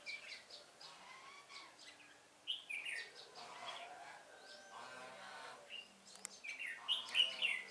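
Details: Red-whiskered bulbuls at a lure-bird trapping site, 1 November 2017. Lively bursts of chirpy, warbled notes follow in quick succession, louder toward the end, over a low background hum.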